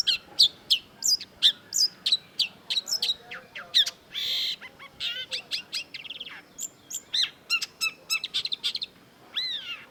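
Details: Long-tailed shrike song: a busy, fast run of sharp high chirps and clicks, about three per second, mixed with harsh rasping bursts and downslurred whistles, loud and varied, clear background.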